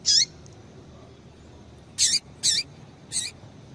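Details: A female double-collared seedeater gives four sharp, high chips that fall in pitch, one alone then three in fairly quick succession, calling to stimulate a male, with faint hiss between notes.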